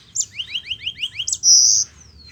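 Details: Yellow-fronted canary singing to spur other Mozambique canaries into song: a rapid trill of about seven repeated upslurred notes, then one loud, sustained buzzy note that fades into a thin falling whistle.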